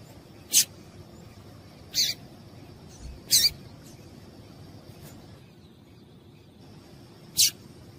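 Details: Female yellow-bellied seedeater calling, used to excite males into song. Short high chips, some slightly doubled, sound roughly every one to four seconds over a faint steady hum.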